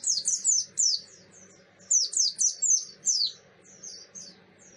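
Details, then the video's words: Buxton's white-eye song used as a lure to trigger reactions from other kept white-eyes: fast, energetic strings of high, sharply down-slurred chirps in loud bursts, briefly pausing before another run, fading softer toward the end. "pleci buxtoni ngalas ngototttttt !!!! pancingan pleci bahan ombyokan"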